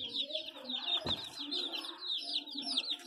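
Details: Chicks peep continuously in shrill, short, slightly downslurred notes that run one after another, with faint human voices and a brief thud partway through.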